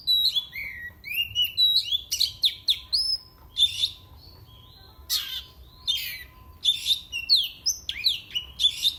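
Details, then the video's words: Caged oriental magpie-robin kept for song contests, singing to provoke rival birds: bursts of sharp whistled notes, rising slurs and buzzy trills between 2 and 8k, in phrases separated by short pauses, with a faint steady hum beneath. "Kicauannya bikin musuh makin Emosi."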